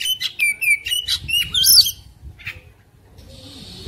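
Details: Fighting-mood Oriental magpie-robin, puffed up with its tail spread, delivers quick clear whistles and chirps for about two seconds before the singing stops, leaving a soft background hiss.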